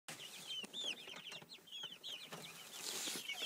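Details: Twelve miniature white Silkie chicks about six weeks old peep together in a busy chorus of bright, downward-slurred chirps overlapping without pause, with a faint hiss behind them.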